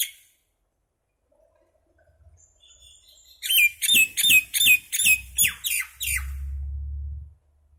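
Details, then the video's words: Small common myna calling: after near silence, eight loud grating notes come at roughly three per second, followed by a steady low hum. "Mynah Bird (Acridotheres tristis), Little Mynah Bird making Noise"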